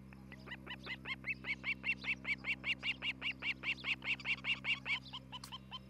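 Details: Osprey at a nest near Charlo, Montana, filmed by a nest camera on the morning of 11 July 2018; a steady run of about twenty sharp, whistled chirps, evenly repeated and rising slightly in loudness before fading at the end.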